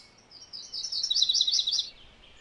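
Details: Song of a MacGillivray's warbler: a bright, rapid series of chipping, slurred notes rising slightly then ending lower, about one second long, against faint background hiss.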